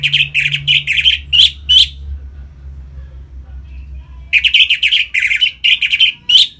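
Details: Orange-headed thrush singing in the ngeplong style, used to stir captive birds into breeding condition: two bursts of rapid, loud, buzzy chattering notes repeated quickly, separated by a quiet two-second gap with a low hum beneath.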